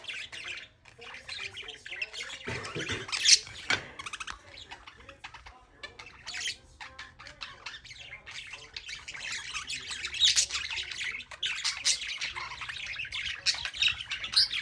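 Budgerigars chatter in a steady stream of bright chirps, squawks and warbling twitters.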